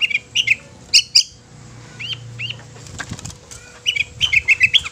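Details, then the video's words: Long-tailed shrike giving a chattering, scratchy song of short upward-swept notes in the upper-mid range, in bursts with brief pauses, over a low steady hum; song said to make other shrikes sing and get agitated. "Suara Kicau Cendet Ini Dapat membuat Cendet Lain Gacor Dan EMOSI"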